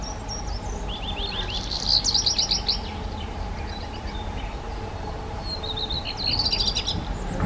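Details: Song of a black redstart: a high whistled phrase followed by a fast, gritty crackle, then a second phrase after a pause, over a steady low hum and rumbling background.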